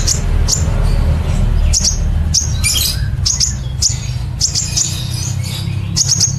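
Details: Sunbird known locally as kolibri ninja, singing the nembak cililin style: crisp high chips and quick twittering phrases repeated in irregular runs, with a low rumbling background.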